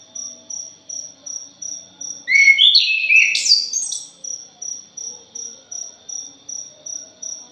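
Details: A punglor thrush delivers one rich, jumbled burst of rising and falling warbles lasting about two seconds, framed by an insect's continuous high, evenly pulsing chirps, on a lure track for birds.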